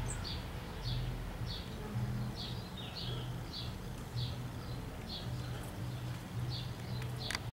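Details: A young European goldfinch being fed by its mother gives thin, high, insistent chirps about every half second over a steady low mechanical hum.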